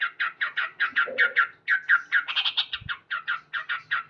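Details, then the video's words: Male sooty-headed bulbul calling loudly each morning in gacor style: continuous rapid "cuk" notes, about five per second, with a brief higher-pitched, quicker cluster midway and a faint low thump. "Terapi Burung Trucuk Gacor"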